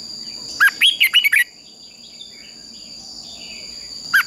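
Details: Red-whiskered bulbul performing fighting song for training: one brisk phrase of five or six slurred whistled notes, a long quiet gap with a steady high tone, then the first note of another phrase.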